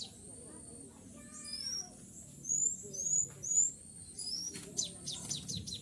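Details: Tame trapped sooty-headed bulbul serving as a lure, calling out to wild bulbuls: a quick descending chatter, then bright rising whistles in an uneven run, ending in sharp clicks, over faint low hum.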